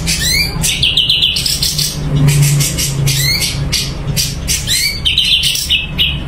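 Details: Caged Sumatran leafbird singing energetically: rising whistled slurs and buzzy trilled phrases around mid-high pitch, separated by harsh broadband rattling notes, with a steady low hum of traffic beneath.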